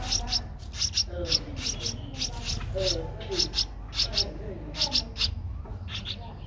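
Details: Streak-eared bulbul nestling aged 12 days, eyes opened at seven days, in Ubon Ratchathani, Thailand, on 14 April 2023; sharp high chirps in rapid pairs repeated through the clip over a low background hum.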